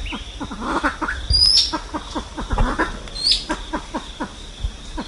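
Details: Silver pheasant giving its flock-gathering call, a quick run of low falling chuckles, with thin rising high whistles cutting in twice.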